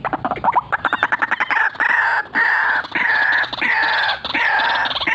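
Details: White-breasted waterhen in a cackling, rolling call series: quick stuttering notes open, then loud, harsh, drawn-out croaks follow one after another, each ending abruptly before the next begins.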